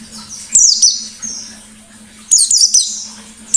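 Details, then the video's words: White-eye in full song, used as a training lure for other birds: bursts of high, sharp descending whistled notes near the top of the range, in two or three groups separated by quieter gaps, over a faint steady low hum. "Burung Pleci Gacor Ngalas Nembak || Pancingan Pleci Ngalas"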